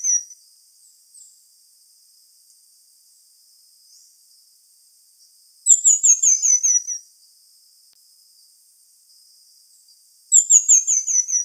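Pin-tailed Manakin giving two bursts of very high, thin, descending trilled notes about five seconds apart, over a faint steady high insect-like hiss.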